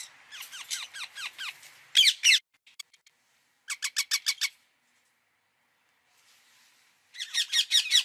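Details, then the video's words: Indian ringneck parakeet chattering in fast runs of short shrill notes with downward slurs, broken by two loud harsh screeches and a pause before another rapid series. "parrot sound | ringneck"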